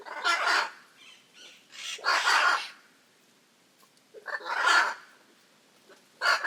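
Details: Raucous Hyacinth macaw calling: a run of loud rasping squawks with softer shorter notes between them, irregularly spaced over six seconds.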